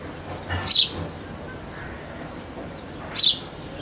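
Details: House sparrow in the early morning uttering two short high chirps roughly two and a half seconds apart, each dropping slightly in pitch, against low ambient noise.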